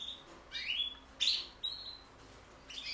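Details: Song of a common linnet crossed with a canary, made of quick sweeping notes that rise sharply, a loud buzzy twitter and a held whistled tone, followed by a brief final chirp.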